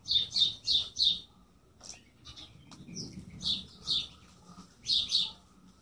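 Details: Bird chirping: a fast run of four bright high notes, a pause with faint clicks, then more chirps in pairs.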